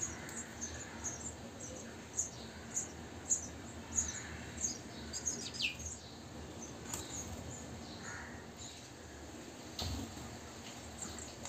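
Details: Sparrow chicks three days old in a bird house, their parents bringing insects: rapid very high cheeping in bursts, then several downward-sweeping adult chirps, with a low thump and steady hiss underneath.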